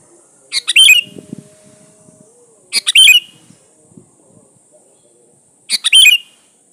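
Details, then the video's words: Sooty-headed bulbul singing vigorously, a lure song for drawing in rival bulbuls: three short bubbly, chattering phrases about two and a half seconds apart, with faint low murmuring sounds between them. "SUARA BURUNG KUTILANG GACOR SATU INI AMPUH BUAT SUARA PANCINGAN"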